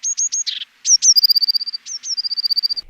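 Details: Eurasian blue tit (Cyanistes caeruleus) singing in a forest on a cold winter morning early in the singing season: very high, thin down-slurred notes running into a quick, slightly lower silvery trill, like a small high whinny, sung twice.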